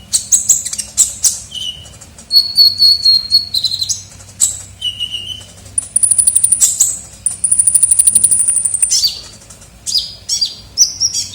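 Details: Vigorous kolibri ninja sunbird song used as a lure. Scratchy chirps mix with level whistles at different pitches, including a long, very high buzzy trill held for several seconds.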